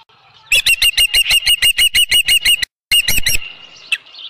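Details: Osprey at its nest on a ranch, evening of 15 July 2018 around 7:55 PM, as a headless fish arrives: rapid piercing whistled chirps repeated about three per second, a brief gap, then a short further burst.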